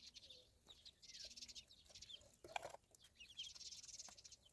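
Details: A group of ducklings chirps in dense bursts of shrill, short notes, a louder single peep near the middle, and softer lower tones between.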